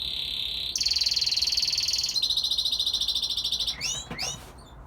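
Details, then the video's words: Young male red factor canary sings to impress his brothers and father, holding long rapid rolling trills that step higher, then lower, before ending in a few quick swooping whistled notes; faint steady background hum. "Singing canary"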